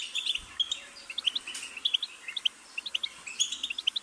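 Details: Goldfinch giving clear, separated high chirps and short twittering phrases over a steady hiss of background noise.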